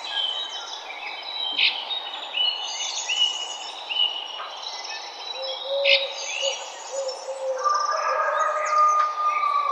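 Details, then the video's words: Morning birdsong in a park, several birds chirping with short high notes and trills, a sustained whistled tone near the end, against constant low ambient rumble. "Morning Birds in Park Sound Effect"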